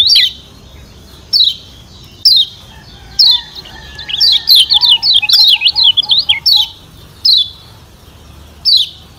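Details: Yellow white-eye, known locally as kecial kuning from Lombok, kept as a bird whose calls are used to stir other birds into singing: sharp high chirps repeated about once a second, with a faster twittering run of rising and falling notes in the middle.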